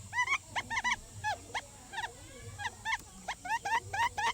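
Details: Quail used as a decoy, giving lure calls: quiet, clipped chirps sliding upward, scattered in small irregular clusters over a soft background hum.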